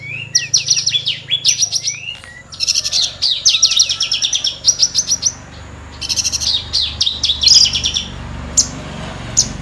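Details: Horsfield's bush lark singing a long run of rapid, repeated sharp chirps and slurred notes, with a faint low hum in the background.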